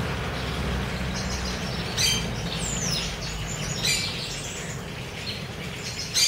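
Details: Free-living chopi blackbirds being fed in Cuiabá, Mato Grosso, Brazil, give clear descending whistles and bright chirps, with a sharp note near the start, another at the end, and a low background hum throughout.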